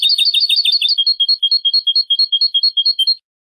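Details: European goldfinch clean song from a 2015 recording used to teach young birds: a fast chattering trill that slows into a steady series of clear, whistled double notes, about five per second, then stops.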